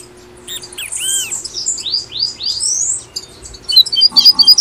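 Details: Song of the double-collared seedeater in tui-tui style, Brazil, aimed at encouraging caged birds to sing: a few arched notes, then four upward-swept whistles, finishing with a quick buzzy trill of sharp chips.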